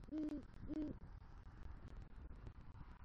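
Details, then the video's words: Two deep, mellow hoots about half a second apart from a great horned owl at a Southwest Florida eagle nest tree at night, where the male brings rodent prey and calls for the female; quiet afterwards. "Male GHO Brings Rodent Prey To Nest & Calls For Female"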